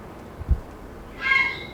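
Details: Four to five grey herons roosting together in an urban conifer on 25 May 2021, taken with an Audiomoth: a single brief, rasping, layered squawk follows a soft low knock against constant faint hiss.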